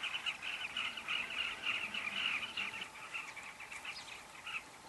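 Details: Carmine bee-eater colony at Kavinga Safari Camp: a chattering mass of short trilled calls, dense at first and then thinning and quietening toward the end.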